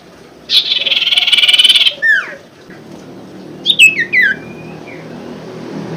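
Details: Common Iora song used as a lure for a caged bird that has gone quiet: a fast buzzy trill lasting over a second, then downward-slurred whistles, later a short cluster of clear whistles.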